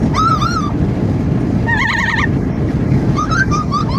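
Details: A parrot riding in a car gives several wavering, warbling calls over about four seconds, with a strong roar of wind and road noise throughout.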